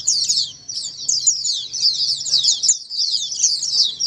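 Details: Pleci ombyokan, an Oriental white-eye song played as therapy to get a quiet white-eye to reply; bright, high-pitched, fast warbling chatter running continuously with brief dips.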